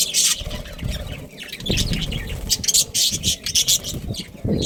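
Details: Pet budgerigars from a breeding pair producing loud, dense, scratchy chirps and squeaks in quick bursts separated by short gaps, with some low rumbling noise.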